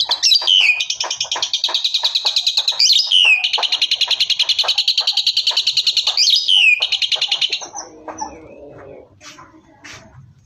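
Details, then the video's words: An Asian pied starling, a mimic known for loud gunshot-like calls, gives a loud, rapid stream of harsh, buzzy notes about three per second, broken by sweeping whistles, ending in softer chatter. "Suara Jalak Suren Full Tembakan ||Sound of Starling Suren Full Shot"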